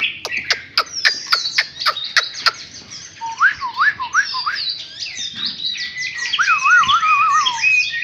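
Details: Close-up of a freshly caught wild Chinese hwamei: sharp repeated clicks open the passage, then looping whistled slurs and a tumbling, varied stream of bright rising and falling notes.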